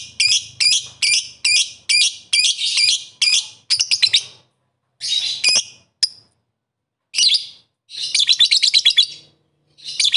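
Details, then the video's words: Calling rivals, a lovebird gives rapid sharp shrill chirps about two per second, then scattered harsh notes and a fast stuttering chatter toward the end. "Burung Lovebird memanggil musuh,suara begini cepat banget bikin bunyi"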